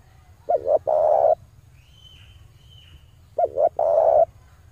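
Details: Luring call of a male spotted dove: two cooing phrases about three seconds apart, each a pair of short notes and a sustained rolling coo, with a faint high thin whistle in the pause.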